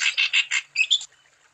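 A Crescent-chested Babbler gives a quick run of four harsh, buzzy notes, then two brighter notes with a whistled edge, all within about a second.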